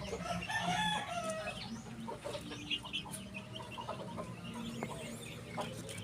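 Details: A Ko Shamo hen gives harsh, repeated clucking and squawking notes, several a second, with a low hum and scattered background noise.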